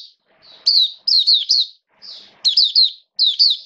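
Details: Oriental white-eye kept as a caged songbird, 'buka sing raja' song in rainy-season conditions, 29 September 2022: a soft high lead-in note, then quick chains of sharp, slurred chirps in clustered phrases with brief gaps.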